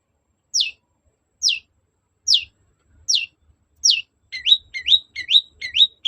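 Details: Long-tailed shrike in a provoking lure recording: five sharp, descending whistled notes nearly a second apart, then a faster series of buzzy, upslurred chirps in quick succession.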